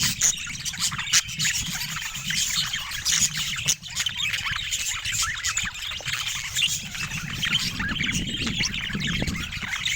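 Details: Pet budgies chattering continuously, a dense warble of scratchy chirps and squeaks over faint low rumbling.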